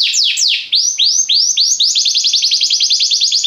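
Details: Song of a Belgian canary, opening with a few sweeping downward whistles, then arched notes that speed up into a fast, even, rolling trill.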